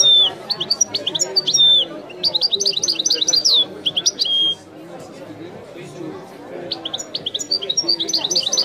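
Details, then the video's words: European goldfinch, a bird called Messi, singing the Algerian 'wiidani' style: bursts of fast high twittering and whistled slurs, a pause of low murmur, then renewed chirping phrases. "chant de chardonneret تغريد الويداني الأصيل"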